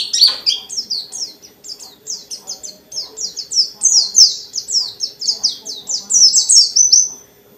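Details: White-eye (pleci dakun) singing to goad rival white-eyes into answering: a fast run of about four thin, high, down-slurred notes per second, chained into a dense continuous twitter.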